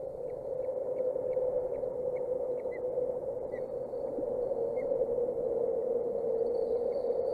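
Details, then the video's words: Osprey chicks aged 27 and 29 days on a nest-cam nest in Boulder County, 14 June 2019, tottering and teetering; a run of short, faint, high chirps about every half second, partly masked by a loud steady hum. "Chicks being chicks: Tottering, teetering, and chirping"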